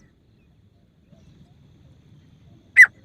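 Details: A female grey francolin gives a single sharp, high note near the end, after a stretch of faint low rumble; the call is used as a hunting lure.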